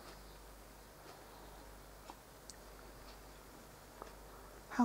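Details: Quiet background hiss with a few faint scattered clicks and a brief louder knock at the very end.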